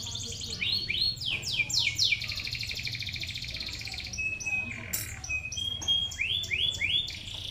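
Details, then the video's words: Five-day-old crimson sunbird chicks begging while being fed: rapid series of high, thin down-slurred squeaks, repeated in quick runs, with a steady buzzy trill in the middle and a low hum behind. "Anakan sogon umur 5hari lolohan burung sogon"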